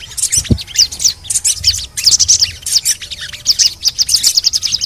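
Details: Crimson sunbird twittering used as therapy to make lazy birds call: lively, high, sharply repeated chirps and quick slurred notes in rapid bursts, with a single low thud near the start.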